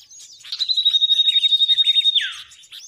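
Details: A sustained, rapidly pulsed high trill from a common iora, lasting about a second and a half and ending in a falling slur. The song style is named tembakan sirtu versi kenari, a training track for songbirds.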